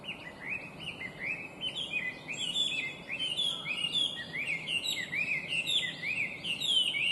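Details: Invasive Chinese hwamei pouring out continuous, complex song: rapid series of rising whistled notes and rich warbled phrases, bright and varied throughout.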